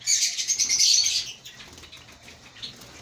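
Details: Lovebirds in a breeding colony chatter loudly for about a second, a harsh high twittering with pulsing rhythm, then fall to quiet background chirps with one short squeak.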